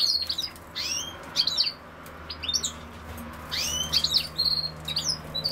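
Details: European goldfinch singing rapid, sparkling chirps and slurred rising notes in close bursts, fairly clear against a quiet background with a soft low hum.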